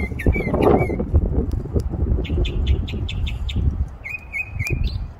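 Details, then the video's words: Songbird in a tree giving varied sounds: short whistled slurs, a burst of sharp high chirps, then a run of level whistles ending in an upward flick, against strong low rumble. "Song bird singing"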